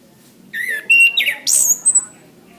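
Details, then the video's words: Orange-headed thrush song used for training caged birds: a few spaced whistled phrases, one a falling slur, then a shrill high burst and two short notes, over a low background hum. "Suara Anis kembang | Masteran | Bunyi burung"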